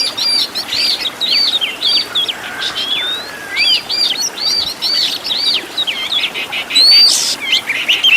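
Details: Caged-bird training master of an Oriental magpie-robin: repeated short twisting whistled figures in quick succession, interspersed with harsher bursts, ending with a bright clear upslurred whistle.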